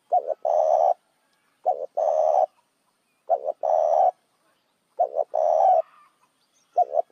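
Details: Spotted dove used as a lure for other doves, giving steady repeated phrases: a brief double note, then a long hoarse coo, about every 1.6 seconds in a quiet setting.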